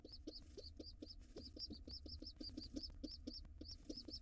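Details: Wild rock pigeon parents with their young nestlings together at the nest. A steady run of high, thin, slurred peeps repeats about four times a second, with faint low thuds and shuffling in the background.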